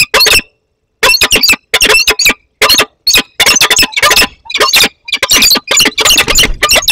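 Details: Peregrine falcons in Poland's Barycz Valley on 15 August 2021, a young bird arriving to meet an adult. Loud, raspy screaming calls come in rapid bursts with short gaps between them, harsh and broadband throughout.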